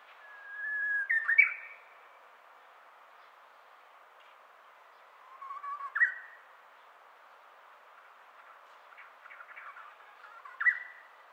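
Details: Early-morning song of a Japanese bush warbler, first heard in 2023: three separate phrases about five seconds apart, each a held whistle breaking into a sharp upward-flicked ending, with quiet pauses between.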